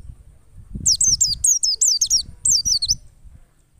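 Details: A wild white-eye used as a lure sings a fast, continuous tumble of very high, slurred, falling and rising notes for about two seconds, with low thumping noise beneath.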